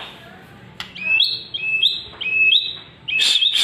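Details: White-rumped shama, or murai batu, singing to draw other shamas into song: a series of clear, level whistles, each with a short upward flick, repeated about every half second, then a buzzy burst.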